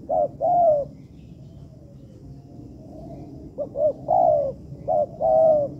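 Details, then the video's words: Spotted dove training material from an artificial yard: a pair of short hoots and a long coo, then a two-second pause with faint distant cooing, then further double hoots each followed by a drawn-out mellow coo. "Melatih Bahan Ajaran Tekukur di Laman Buatan"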